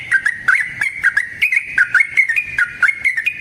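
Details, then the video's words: ["Yellow-vented bulbul (trucukan) in continuous 'ropel panjang' lure song: a steady stream of choppy, bubbling notes that rise and fall slightly, delivered several per second without a break."] "Trucukan GACOR ngalas ROPEL PANJANG suara alam AMPUH buat pancingan"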